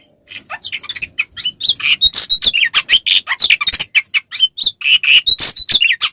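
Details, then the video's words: Oriental magpie-robin singing its fighting song to provoke other males: fast, steady run of sharp chirps and buzzy whistled notes, building in loudness after a quiet start. "SUARA BURUNG kacer gacor NGEPLONG TARUNG ini paling AMPUH buat PANCINGAN KACER agar EMOSI NYAUT"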